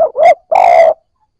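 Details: Spotted dove cooing, played to spur newly caught birds into cooing: a short low hooted note followed by a longer steady coo, clean with no other sounds.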